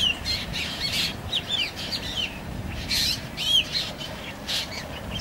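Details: Young black drongo giving repeated quick, squeaky, down-slurred whistles and harsher squawk-like notes in uneven bursts, against a constant hissing background.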